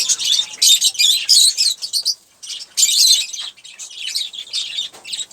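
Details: Olive-throated parakeet eating sunflower seeds and drinking water, giving dense bursts of high, scratchy chirps and chatter, with a short pause midway before the rapid chirping resumes.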